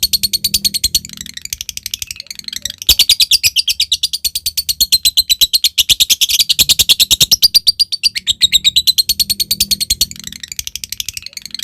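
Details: Caged lovebird giving a long ngekek chatter, used as a lure to call a rival lovebird: a fast, even run of harsh, high rattling notes that carries on almost without pause, with a brief break near three seconds.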